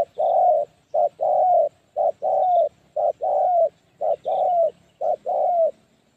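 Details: Spotted dove kept as a trapping decoy to lure wild doves, repeating a two-part coo of a short note then a longer mellow note, roughly once per second, on a quiet background.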